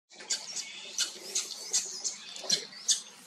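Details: Common starling singing while preening, in the Eifel region; soft, rapid high warbling with squeaky clicks and thin whistles, pulsing several times a second.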